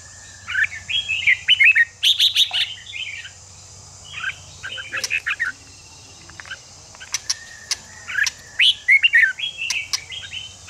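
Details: Red-whiskered bulbul song meant to rouse newly caught wild bulbuls: chattering, warbled phrases in several bursts, some loud and some quieter, over a continuous high hiss and a low hum.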